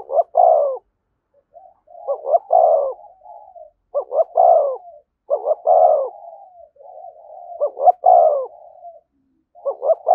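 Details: Spotted dove near a decoy bird, in the thúc gù calling style. Six phrases of stuttering double hoots ending in a strong, deep coo, each linked by quieter quavering murmurs, come about every one and a half to two seconds.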